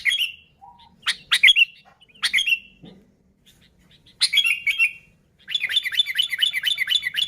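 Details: Sooty-headed bulbul, recorded pure for luring bulbuls: a few separate sharp downslurred notes, then a long, fast, rhythmic string of chattering notes at the end.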